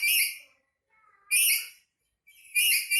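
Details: Pet black-capped lory, angry, letting out three raspy screeches about a second apart, with a soft wavering whistle in the quiet gap between them.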